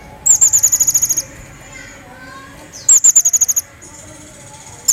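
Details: Lively Crecet jawa song used as a tutor recording for other cage birds: two fast trills of sharp, very high notes, each about a second long, separated by a quiet pause, with a single clipped note at the end.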